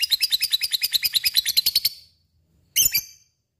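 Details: Lovebird delivering a quick, harsh ngekek chatter for about two seconds, a pause, then a single sharp chip; fighter and gacor singing intended to set other lovebirds singing too.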